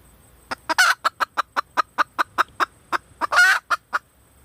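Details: Female red junglefowl hen calling for a mate in a long steady run of short clucks about five per second, with two loud, harsh drawn-out squawks breaking the sequence.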